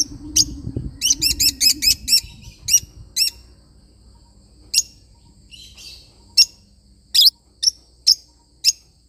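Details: Lovebird parrot singing with a fast run of about six piercing chirps, then slower single shrill notes spaced a second or more apart, with a soft twittering passage in between and a low background murmur early on.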